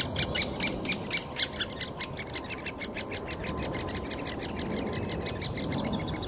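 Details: Great spotted woodpecker chick begging while fed in Bystrzyca Valley Landscape Park, Poland: loud rasping chatter repeated several times a second, strongest at first, then softer and more continuous.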